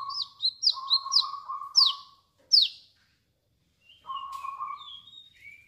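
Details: Chestnut-capped laughingthrush giving its 'wiceh wiceh' song: quick sharp downslurred high notes paired with a level lower whistle, a pause, then more flat whistles and a few thin rising notes.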